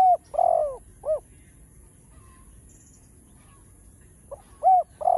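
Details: Spotted dove cooing, a full song with chiêu, thúc and gù styles, played to prompt newly caught doves to coo; two short rounded low notes, a pause of silence, then more short hooting notes at the end.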